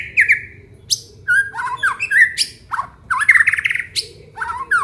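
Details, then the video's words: Aceh white-rumped shama, a kept bird, in full varied song: loud whistled slurs mixed with sharp high chips and quick rattling flourishes, phrases coming in close succession. "FULL KICAUAN BONGKAR ISIAN MURAI BATU ACEH"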